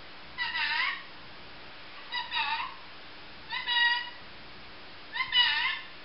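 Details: Female grey green olive lorikeet kept as a pet, giving four rasping, nasal calls, each about half a second long with a wavering bend, repeated roughly every one and a half seconds against a quiet indoor background.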